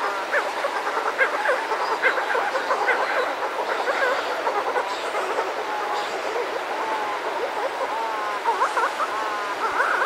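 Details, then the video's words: A pair of Buller's shearwaters calling close up outside a burrow among other birds, with surf: overlapping wavering, whimpering moans and quavering trills, steady throughout, ending in rippling tremulous notes. "Buller's Shearwater. CU Calls From A Pair. Other Birds Outside Burrow."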